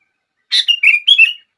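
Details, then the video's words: Sooty-headed bulbul singing to prompt other bulbuls into song: one quick bubbly phrase opening with a harsh chirp, then three rolling whistled notes, clear with no background. "Kutilang Lain gak bisa diam saat mendengar suara ini!!!"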